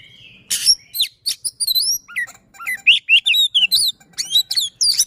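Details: Magpie-robin song in a fast, dense, determined style with rolling notes, used to prompt other magpie-robins to sing. A harsh burst gives way to a quick string of clear looping whistles, rising and falling, spaced a fraction of a second apart.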